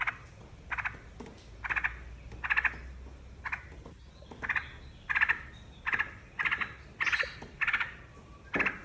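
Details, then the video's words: Yellow-vented bulbul song used as a lure to start other birds singing: short bubbly, gurgling phrases about every half second to second, each a brief burst with a hum in the background. "PANCINGAN TRUCUKAN DIJAMIN IKUT BUNYI"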